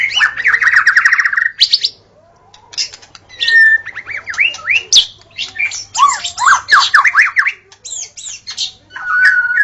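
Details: A white-rumped shama at dawn opens with a fast rattling trill, pauses, then sings varied zigzag whistles, scratchy chatters and a final level whistled note.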